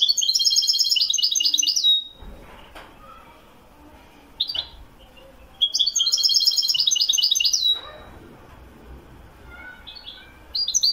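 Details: Goldfinch song in the Wedani style from Morocco. Two fast, chattering twitter phrases of about two seconds each, both ending in a drawn-out thin note, separated by pauses with isolated short chips.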